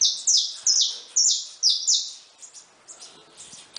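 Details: Saffron finches feeding free and loose at a feeder: a quick run of about six bright, buzzy, downslurred notes in under two seconds, then only faint chirps.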